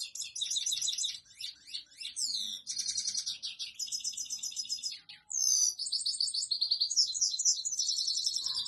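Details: Male European goldfinch song directed at a female for mating: continuous high, tinkling twitter with fast trills, buzzy rattles and sweet rising notes, one short break near the middle, otherwise an unbroken run of phrases.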